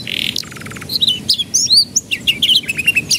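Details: Lure song for young canaries to start singing: opens with a harsh buzzy note and a rapid rattling trill, then a string of bright swooping whistles and short chirps.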